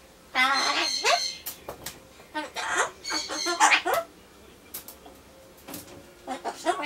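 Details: A pet Solomons corella (Ducorps's cockatoo) talking to itself while waiting for pumpkin: harsh, speech-like bursts of rising and falling notes with a rooster-crow imitation, brief pauses between phrases.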